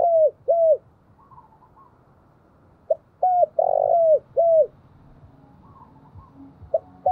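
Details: Decoy spotted dove cooing to attract wild doves: repeated mellow, downward-bending coos and a rolled middle note, roughly two per second within a phrase, over a steady low background hiss.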